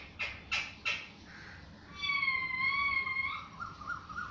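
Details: Parrot voice: three short harsh squawks, then a long clear whistled note with bright overtones that slides gently down and rises again at the end.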